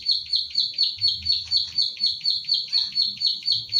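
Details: Plain prinia, Indonesian ciblek sawah, owned bird in central Central Java, recorded on a phone as a training track: short burst of sharp, high 'klik' notes repeated steadily around twice a second.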